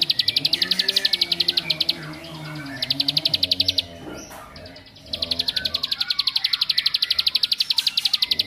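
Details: A bar-winged prinia delivering a rapid high chattering trill in three bursts, the last one long and steady, a song said to make other prinias more agitated; faint lower background tones throughout.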